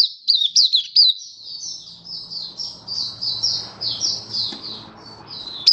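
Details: Oriental white-eye in happy open song, 24 February 2023: a few sharp chirps, then a run of soft, slurred, warbling high notes flowing one into the next, over light background noise.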